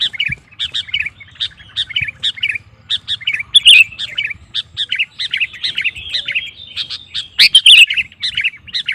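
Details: Sooty-headed bulbul singing to provoke other males: rhythmic, bouncy chirped notes repeated in quick regular series, with a louder burst of bright notes near the end.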